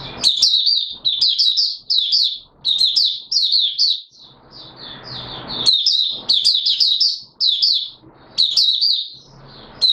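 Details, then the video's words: Opening song of a caged Mata Puteh Raja white-eye, not yet in full condition, 9 May 2022: rapid runs of thin, high chirps grouped into bouncy phrases, one brief noisy rustle midway. "Mata Puteh Raja V1 buka sing not full condition yet"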